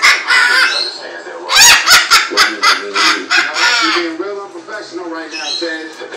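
A cockatoo gives a harsh, voice-like babble breaking into a burst of rapid, raspy laughing pulses, then trails off in hoarse chatter.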